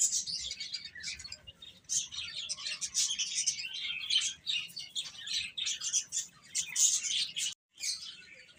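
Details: Chicken chicks feeding and playing chirp in a busy, high, overlapping chorus, broken by a short silence near the end.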